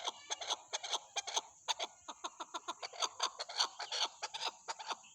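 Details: Rapid, harsh chattering chuck notes from a chukar partridge, irregularly spaced, around two per second, giving a giggling effect, over a constant high hum.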